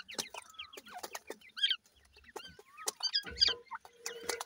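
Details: Little grey francolin chicks call while feeding: scattered high, slurred chirps and brief whistled peeps come in uneven bursts between dry tapping and clicking sounds, with a low hum in places.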